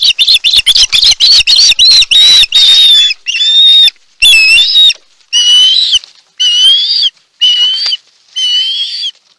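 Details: Osprey at its Chesapeake nest during a large food delivery, March 2018, live nest camera: a rapid burst of sharp chirps that slows into separate longer whistled, slightly wavering notes spaced about a second apart.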